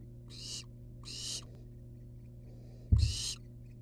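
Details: Wild barn owl nestlings hanging outside their nest box give three harsh, hissing screeches, each about a third of a second long and broad in tone, with a low steady hum and a brief thump near the end.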